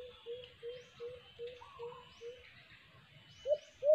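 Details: A White-eared brown dove, recorded during a cage-trap capture attempt, gives a steady run of low, soft hoots, about two or three per second, ending in two louder notes, over a thin steady whine.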